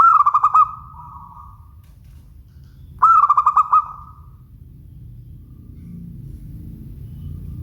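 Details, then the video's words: Local zebra dove singing two clear cooing phrases three seconds apart, each a quick run of about six pulsed, slightly falling notes that drawls into a softer trailing tone, over a low background rumble. "Suara Bening Burung Perkutut LOKAL"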